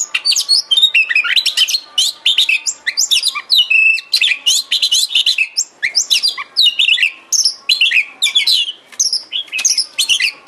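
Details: Kacer, the Oriental magpie-robin, in a bait recording for getting a kacer to sing and open its tail. A long, nearly continuous stream of high varied chirps, trills and whistles comes in rapid, rhythmic bursts.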